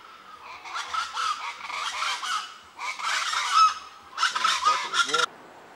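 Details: Rufous-vented chachalacas, known locally as 'cocrico', at Speyside, Tobago, in late April 1999 give loud, harsh, cackling morning calls in three raucous bursts. Several birds overlap in a rhythmic chorus that acts as an alarm clock.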